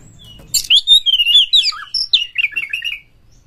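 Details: Oriental magpie-robin giving one rich, continuous phrase of looping whistles, a dipping low note and a chattering trill. The song is used to goad magpie-robins into singing and fighting.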